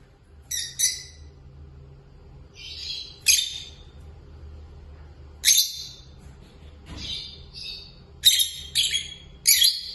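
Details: Pair of peach-faced lovebirds, curious about the camera, giving sharp high buzzy chirps in short clustered bursts separated by brief pauses, some notes doubled in quick succession.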